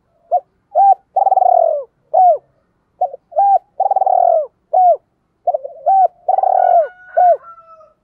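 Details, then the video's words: Spotted dove double-voiced coo for calling in and provoking wild doves, three phrases in steady succession. Each has quick lead-in notes, a drawn-out rolling purr and arched hoots. A faint higher whistle overlaps near the end. "tiếng cu gáy gọi bổi giọng đôi nghe hay và dùng kích bổi hiệu quả"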